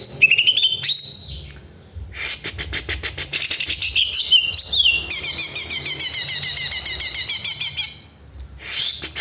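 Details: Greater green leafbird in loud, varied song: rising whistled notes, then rapid buzzy trills and fast repeated chattering phrases about three per second, with brief pauses between bursts.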